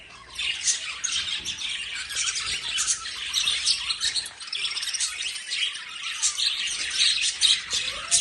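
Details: Dense, continuous chatter of lovebirds: many overlapping high, scratchy chirps and squeaks running without pause, bright and busy throughout.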